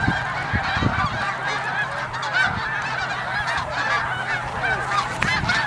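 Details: Migrating snow geese at Middle Creek, Pennsylvania: a steady chorus of many honking birds, with some clearer upslurred yelps standing out above the crowded background babble.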